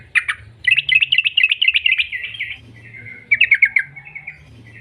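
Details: Sooty-headed bulbul pouring out a fast bubbling trill ('ropel'), used to lure other birds into song; a sharp opening note, a long tumbling run, a pause, then a shorter burst.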